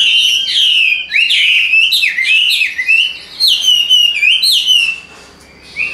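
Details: Caged hwamei pouring out a loud, fast series of rising whistled slurs, each swooping upward and repeated several times a second, ending after a short pause with one more whistle.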